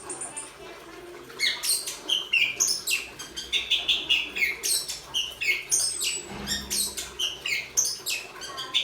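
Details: Orange-headed thrush from Malang singing loudly: a rapid, varied run of high, sharp, slurred phrases, each burst following about a quarter second after the last, with a brief low rumble midway.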